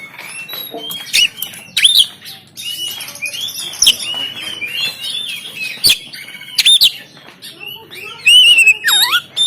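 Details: Rich, varied oriental magpie-robin song from Banten, taken on an Android phone to stimulate a lazy bird to sing and open its tail: tumbling high whistles, twangy slurs and harsh bursts, ending in a sweeping downward trill.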